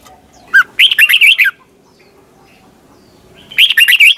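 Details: Training recording of a Red-whiskered bulbul singing in competition: a clear downslurred note, then a fast run of warbled whistles, a two-second pause, and a second similar phrase beginning.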